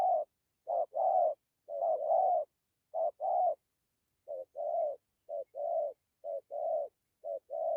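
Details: Spotted dove repeating gentle two-note coos, a short note then a longer rounded one, about once a second with a brief break midway. Quiet surroundings.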